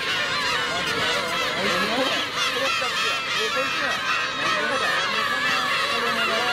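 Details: Black-tailed gulls in a dense colony where adults attack chicks: many harsh, mewing, cat-like calls overlap continuously, rising and falling with no pause.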